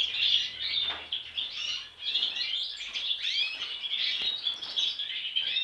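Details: Juvenile European goldfinch in steady twittering song: rapid tinkling chirps, slurred upward and downward notes and brief buzzy trills run together almost without a break, with only a slight dip in loudness near the two-second mark.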